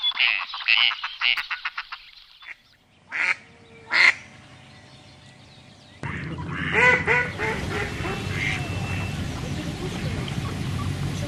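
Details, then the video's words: Ducks quacking: a quick run of harsh, nasal quacks, then two louder separate quacks after a pause, and more quacking over a steady rushing background noise in the second half. "Sounds of animals - Ducks"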